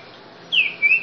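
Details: Ultramarine grosbeak, known locally as trinca-ferro grego boca mole, giving a brief whistled fragment: a descending slurred note followed by a short level whistle.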